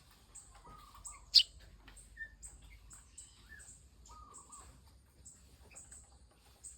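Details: Eurasian tree sparrow chick being hand-fed; thin, very high, short squeaky chirps come in quick irregular bursts, with a few lower whistled notes and one sharp click near the start.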